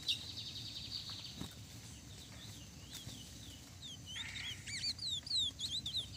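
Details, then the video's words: Lesser seed finch in a song duel with a brown-plumaged bird: a thin sustained whistle at the start, scattered short notes, then a late run of looping whistled slurs over constant low hum. "Meu curió especialista de Pablo pegando um pardo na batida"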